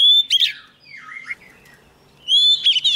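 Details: Oriental magpie-robin, a young bird, sings eagerly as a wild bird draws close. A bright whistled phrase is followed by lower, softer warbled notes, then a loud rising and falling whistle returns.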